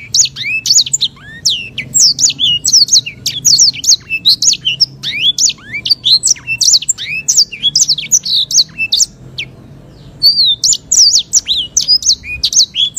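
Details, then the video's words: Lively, long-rolling sanger bird song, an African canary relative, recorded as master audio for teaching songbirds: a continuous run of clear, high, sweeping whistles and fast chirps with only short breaks and faint low background hum. "AUDIO MASTER BURUNG SANGER GACOR, NGEROLL PANJANG & SUARA JERNIH"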